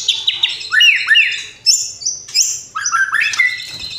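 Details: White-rumped shama delivering a lively song of downward-swooping whistles, high clear sustained notes, and quick chattering phrases in fast succession.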